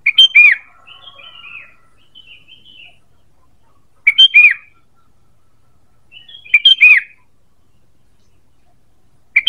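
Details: Lure call of a sooty-headed bulbul, a clipped three-part phrase of sharp chirps ending in a downward-curving whistle, repeated about every two to three seconds, with faint softer twittering between phrases.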